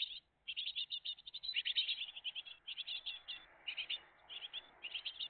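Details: Great tit family at the nest on a June 2023 morning: rapid bursts of high, thin chirps, tightly packed and repeated almost continuously, with short pauses between clusters.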